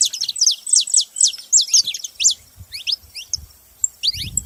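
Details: Saffron finches in Brazil: rapid run of sharp high chirps and downslurred notes, busy at first then thinning into scattered phrases, with faint low thumps near the end.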